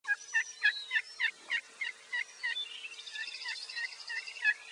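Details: Wild turkey assembly call: a long, steady run of raspy, two-note yelps, about three a second, with faint high chirping and a low hum behind.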